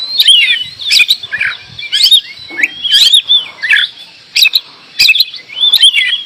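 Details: Oriental magpie-robin singing in short, separated phrases of loud, twisting whistles and harsh notes, each burst lasting under half a second with brief pauses between.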